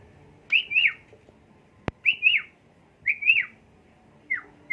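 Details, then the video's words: Asian pied starling song used as a lure to stimulate another bird: clear whistled paired phrases, each a rising-then-falling slur, repeated about every 1.3 seconds, with one sharp click and a quiet background. "bongkar isian jalak suren dan pancingan"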